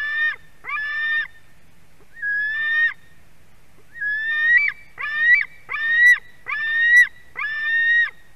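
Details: At a Durbe white-tailed eagle nest on 31 August 2020 at 4:50 pm, the chick begs loudly while fish arrives: eight harsh screams, unevenly spaced at first, then a fast run of rising, strained cries.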